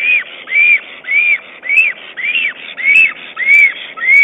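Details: Black stork on a nest camera, 22 April 2009, calling its mate while arranging twigs and moss in the nest. Arched, whistled notes repeat steadily, almost two per second, each rising then falling, over a soft background hiss.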